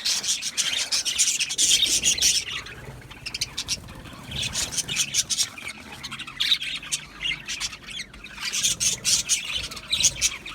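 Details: Budgie chatter in waves: loud bursts of raspy, high squawks and chirps, a quieter lull in the middle, then another busy burst.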